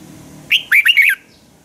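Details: A single brisk phrase from a red-whiskered bulbul's morning fighting song, used to train birds: a short rising note, then three quick, looping warbles within about half a second.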